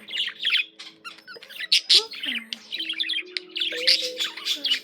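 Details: Chattering warble from a pet budgie: dense bursts of harsh, buzzy chirps and clicks mixed with short sliding whistles, a steady stream of chatter throughout.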